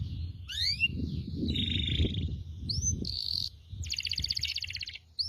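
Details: Canary song used to coax other canaries to sing: scattered rising whistles and short buzzy rolls over a steady low rumble of background noise.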